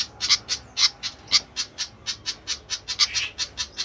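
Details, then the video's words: Steady run of short, bright, high chipping calls, roughly two per second, from a noisy flycatcher, a few notes louder and clearer than the rest. "ADA APA DENGAN BURUNG SIKATAN INI KOK RIBUT"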